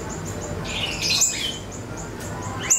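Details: Short lure phrase of an ashy tailorbird (siri-siri) for training songbirds: a rising run of high, squeaky chirps in the middle and a sharp click at the end, with faint evenly spaced high pips and a low hum.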